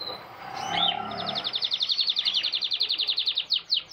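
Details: Breeding-season courtship song of a captive male canary directed at a red female: a brief slurred note, then an even, rapid pulsing trill of about twenty beats ending in a few loud descending whistles.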